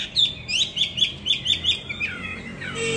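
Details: Hwamei, a caged fighting bird trained in Hà Nội, Vietnam, delivers a string of sharp, clipped, upslurred notes, then a few longer falling whistles at the close.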